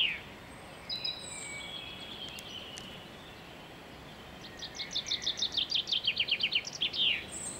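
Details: A common chaffinch singing in a garden on 23 February 2016 gives a bright, quickening run of repeated notes that falls in pitch and ends in a sharp flourish, after a few scattered thin calls.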